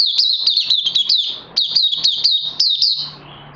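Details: Caged oriental white-eye, a 'crazy' singer, delivering quick high twittering phrases, then falling quiet with a low hum in the background.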